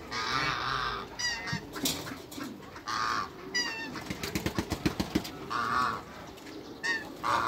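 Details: Backyard geese, an African male paired with a Toulouse female for hybrid breeding, honk loudly in repeated nasal blasts. A rapid run of sharp clicks and rattles sounds midway between calls.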